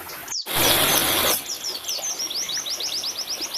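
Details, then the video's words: Song of a white-eye played as therapy for captive birds: a loud rushing noise burst at first, then a run of quick, high, falling chirps repeated steadily over a background hiss. "burung pleci"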